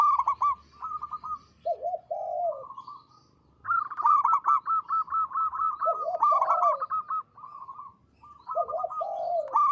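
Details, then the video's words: Repeated phrases from an actively singing local zebra dove, its voice praised as loud, long and melodious; each phrase pairs a low, wavering purr with fast runs of short, even coos, separated by brief silences. "Perkutut lokal gacor suara besar panjang merdu"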